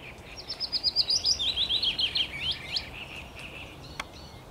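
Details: Song of a willow warbler, recorded 17 May 2021: a gentle cascade of quick whistled notes stepping down the scale over about two seconds, followed by quiet background and a single sharp click.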